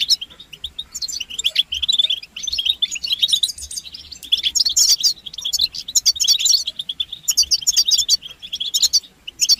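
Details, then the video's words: Group of European goldfinches twittering, a chorus played to get males singing: bursts of rapid, high, tinkling notes and buzzy trills rising and falling in intensity, with short pauses. "بتبتة الحسون تحفيز الحسون على التغريد والهيجان علاج صمت الحسون goldfinch stimulation"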